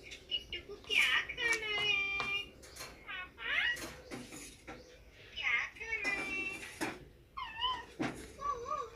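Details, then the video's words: Indian ringneck parakeet, a green parrot, talking on a mobile phone: bursts of high, nasal speech-like syllables with clicks and creaky noises between them, then warbling rising and falling notes near the end. "Ringneck Green Parrot Talking on Mobile"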